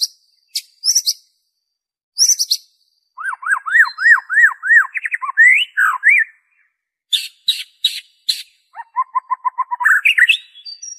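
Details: White-rumped shama song, an original recording with no mimicked phrases, used to prompt caged birds to sing: a run of repeated rising-falling whistled notes, then buzzy chattering bursts and a quick series of clipped whistles.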